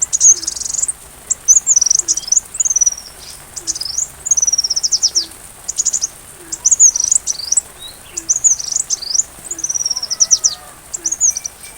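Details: Sunbird singing, recorded as a tutor song for a caged white-rumped shama. Repeated high, sharp phrases of quick descending and rising notes arrive every second or so, with brief pauses between bursts.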